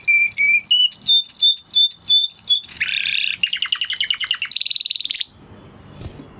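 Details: Singing Spanish Timbrado canary: clear whistled notes repeated about twice a second, a harsh buzzy burst, a rapid pulsing trill, then a bright high rattle before falling silent.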